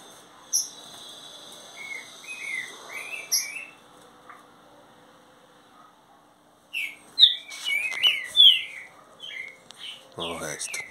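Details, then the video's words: Green-winged saltator, a juvenile mansarrão about 30 days into training, singing strongly: short slurred whistled notes in loose bursts, quiet at first, then louder clustered phrases after a silent gap, with clicks and faint higher chirps of other birds. "trinca ferro mansarrão 30 dias já está matando tudo"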